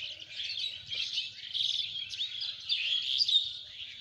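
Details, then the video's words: Rural Lalmonirhat birdsong from village fields: a busy, unbroken tangle of bright, high chirps, short whistled notes and twitters from several birds at once, swelling and fading over a few seconds. "পাখির গান"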